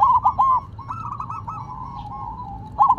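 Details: Zebra dove of the silver variety singing while resting on the ground: quick, bubbly double and triple coo notes at the start and end, with a softer trilled phrase from another dove between them.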